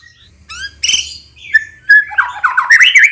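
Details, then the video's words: White-rumped shama song used to provoke males into answering and getting excited: varied, rich phrases with clear rising whistles, a sharp note, then a fast, warbling, tumbling run of mixed notes. "SUARA KICAUAN MURAI GACOR MURAI BANYAK DIAM PASTI NYAUT DAN NAIK EMOSI JANTANNYA"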